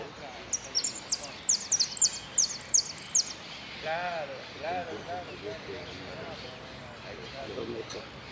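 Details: Saffron finch (Sicalis flaveola) song: high, bright chipping phrases repeated rapidly for about three seconds, then a man's voice talking over faint background noise.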